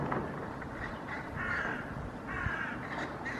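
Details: Hooded crows in a Helsinki park, Finland, on 8 May 2024, chasing away a common raven: two drawn-out, rasping caws over heavy low traffic rumble and background noise.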